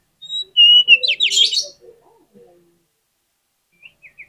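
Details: Oriental magpie-robin song used as a lure to prompt other magpie-robins to sing: clear high whistled notes, then a loud burst of rapid buzzy, sweeping phrases. Short scratchy notes follow after a pause.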